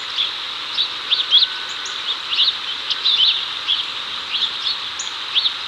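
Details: House sparrow male calling a female over, Chicago 2024, birds catching cicadas; a busy run of brisk upslurred chirps, some doubled, over a persistent high whining hiss.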